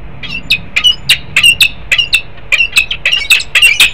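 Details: Peregrine falcons, a male and a female pair, at Harrisburg, Pennsylvania, 10 December 2020: loud, harsh, rasping squawks repeated about twice a second in an uneven series, with a quiet low hum beneath.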